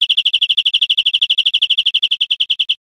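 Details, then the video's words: Recorded in Spain in 2013, a European Greenfinch gives a rapid ringing trill of about thirty chirps over nearly three seconds, slowing slightly toward the end before stopping. "Canto de Verderón 2013 / España"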